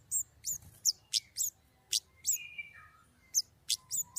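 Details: White-rumped shama in full 'gacor nembak' song, described as clear-voiced: a busy mix of sharp high notes, slurred whistles and lower descending phrases, with a soft low hum underneath.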